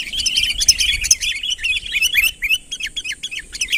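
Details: Sooty-headed bulbul in full voice, calling to lure a rival nearer, natural unschooled calls: rapid tumbling chirps and short slurred whistles, dense at first, then spaced and rising, over a faint constant high hum.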